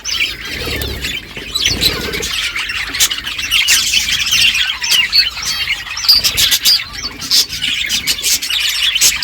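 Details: Budgies chirp while feeding, a constant high warbling chatter of many overlapping squeaky notes, with brief rustling early on.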